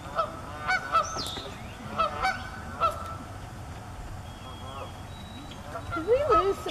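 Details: Canada geese accompanied by goslings at Estelle Manor give repeated nasal honks through the first three seconds, then a quieter stretch with thin high whistles from other birds, ending in a rising, more strained honking call.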